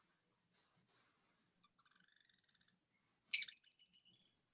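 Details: Loggerhead kingbird in Cuba: a few thin high notes and a faint rising run, then one loud, harsh, buzzy burst and a scatter of soft ticks.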